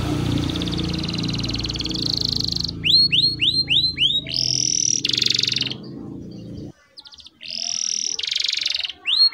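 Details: Canary song on a tutor recording for teaching young birds to sing, long rolls with pauses: high upswept whistles in a quick series and sustained buzzy trills, over low rumbling background noise for the first part.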